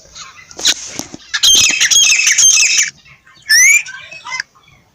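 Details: Partridge producing a long, grating, high-pitched squawking burst, then a short rising whistled call and a final scratchy note.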